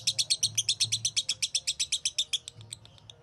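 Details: Fast, metallic chattering from a champion lovebird used for 'masteran' tutoring: a tight string of high, even chips about seven per second for two and a half seconds, then fading, scattered notes.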